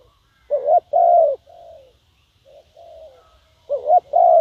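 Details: Spotted dove calling as a decoy for wild doves: two loud hoarse coos, a gap filled with softer distant-sounding coos, then another loud pair to finish.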